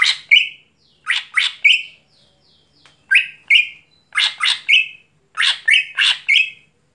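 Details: Greater green leafbird singing energetically at night: harsh, buzzy bursts, each ending in a short clear whistle, given in tight groups of two or three with pauses between. Quiet background.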